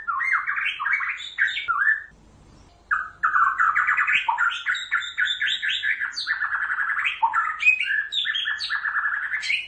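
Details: Lively White-rumped shama song used to prompt other shamas to reply, a fast stream of varied whistles, trills and squeaky chattering phrases, briefly broken by a short silence near two seconds, then continuing densely.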